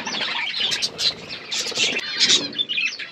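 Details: Wild parrots calling together, a dense overlapping chatter of shrill chirps and squeaks packed tightly across three seconds with no pause, many birds at once.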